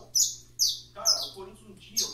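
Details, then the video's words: Saffron finch singing: four short, buzzy high notes spaced about half a second apart, with a man talking softly in the background. "canário da terra cantando"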